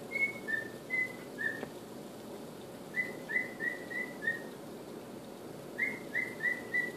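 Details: Male cockatiel at home whistling its imperfect version of the Andy Griffith song, three separate phrases of four to five clear notes, with gaps between.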